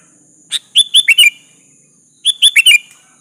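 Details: Sooty-headed bulbul calling out to a rival so it answers, singing two lively phrases of quick, clear, slurred whistles, each with a lead note then three or four richer notes, over a faint continuous hiss.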